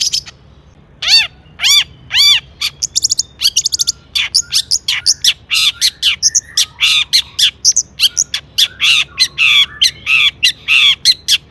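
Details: Agitated Long-tailed shrike singing with imitated fill-ins, meant as a lure for other shrikes: a few arched, ringing whistled notes, then dense rapid chattering and scratchy notes repeated in quick succession.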